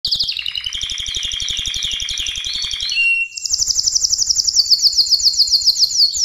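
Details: Canary from Mexico or Spain singing a loud high-pitched song: fast repeated buzzy trill units descending for three seconds, a brief pause, then a very rapid, even, sharp rattle-trill held at a higher pitch to the end.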